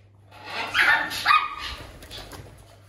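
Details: Two pet parrots playing on a homemade toy indoors and keeping others away from it: a loud harsh squawk, then a second rasping call with a sliding whistled tone, in a small room.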